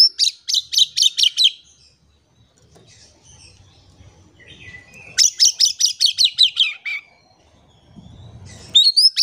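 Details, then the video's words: Oriental magpie-robin in vigorous song, used as a lure to get quiet birds singing. Three fast series of piercing high notes, each of six to ten clipped pulses, are separated by short pauses with faint low rumbling. "PANCINGAN KACER GACOR. KACER DIAM MALAS BUNYI COBA PANCNG DENGAN KACER INI"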